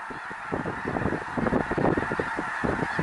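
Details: Massed snow geese in a flock of thousands near Minot, North Dakota, honking together in a thick, ceaseless wall of short, barking calls that swell slightly midway.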